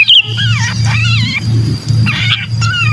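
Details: Sooty-headed bulbul distress call, used to attract hard-to-lure bulbuls: four drawn-out, wavering, nasal squeals that slide downward, evenly spaced, over a persistent low hum.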